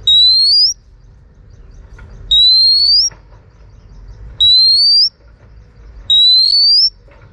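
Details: Calling female Oriental magpie-robin, used to stimulate males: four long clear upslurred whistles, each under a second, repeated roughly every two seconds with quiet gaps between.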